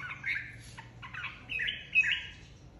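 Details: Red-whiskered bulbul, a flock leader newly separated from its aviary, in competitive singing: quick chattering, warbled phrases with a sharp, bright note near the end, over a faint low hum.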